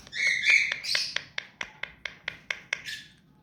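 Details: Hand-tame ring-necked parakeet kept as a pet: a short raspy squawk, then a rapid train of about ten dry clicking notes, evenly spaced and gradually fading, ending with a soft scratchy call.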